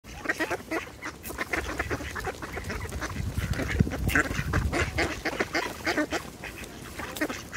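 A busy crowd of ducks gives overlapping nasal quacks and chatter in quick, uneven bursts, with splashing and scuffling underneath.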